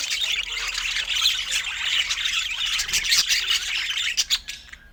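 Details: Budgerigars at a feeding session give continuous high, scratchy chatter and chirps that thin out into a few separate clicks at the close.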